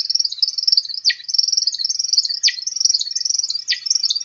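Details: American Woodcock flight display wing twitter, a non-vocal sound made by specialized primary feathers: a continuous high, rapid twittering, broken about every 1.3 seconds by a brief dropping chirp.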